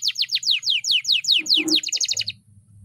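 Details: Domestic canary, agitated and fired up before a singing contest, delivering a rapid run of loud descending whistled sweeps, about four per half second. A burst of faster, clipped notes follows before it falls quiet, with a faint low hum throughout.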